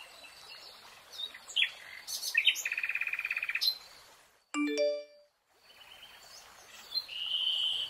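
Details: Nightingale song in a green forest: varied high notes leading into a fast, even trill of repeated notes, then a clear bell-like ringing tone, a brief silence, and a return of high whistled notes.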